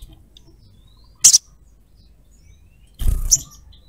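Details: Crimson sunbird female calling a male, chattering trotol cruet style; two short bursts of piercing high chirps about two seconds apart, quiet between.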